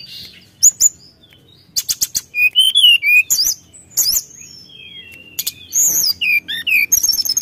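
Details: Energetic song of a brown-chested jungle flycatcher aimed at stirring up rivals: scattered sharp clicks give way to fast, varied phrases of high slurred whistles and trills, broken by short pauses, roughly four notes per second.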